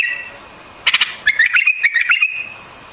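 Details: A single bulbul phrase, the white-eared species: a sharp click cluster followed by a quick string of bright, wavering whistled notes that step up and down before trailing into a level tone.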